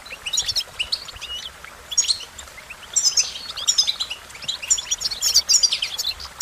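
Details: American goldfinch singing in quick, sweet chirps and thin trills, arriving in clustered bursts roughly every second or so.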